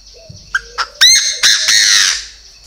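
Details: Chinese francolin (Francolinus pintadeanus), a purebred, tame bird raised from young in Vietnam, calls loudly: harsh, grating bursts, each rising into a strident, ringing squawk.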